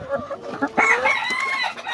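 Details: Laying hens in a layer-hen farm shed in Nabinagar, Brahmanbaria, Bangladesh, give drawn-out, wavering rising-and-falling calls just before laying eggs; several hens have already laid while many still remain to lay.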